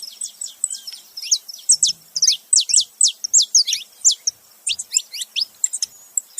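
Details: Saffron finch male and female in company, with loud, high, clipped chirps repeated in quick irregular runs, several per second throughout.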